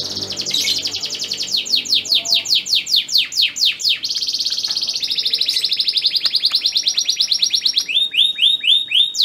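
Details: Prized stud male canary whose song is said to make a breeding female crouch and mate at once: long runs of rapid high trills, sweeping repeated notes, a steady buzzing roll, then looping whistled phrases.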